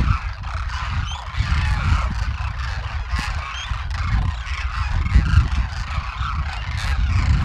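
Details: Demoiselle Cranes wintering in Rajasthan in a flock of thousands, foraging on open farmland; a dense chorus of harsh croaks and trills overlaps continuously, with strong low rumbling noise underneath.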